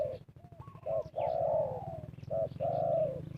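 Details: Spotted dove decoy used to call in wild birds for trapping. Short soft notes lead into two long, hoarse, level coos, over a pulsing low hum.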